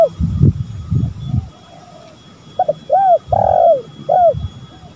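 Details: Spotted dove in a lure recording of male and female birds: after a burst of low rumbling, one clear coo phrase follows, with short notes, a drawn-out burred coo and a final short note.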